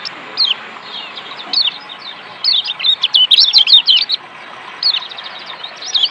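A Lombok white-eye sings a rapid, high twittering song of thin chirps and trills. It comes in short bursts, busiest midway, over a soft steady hiss.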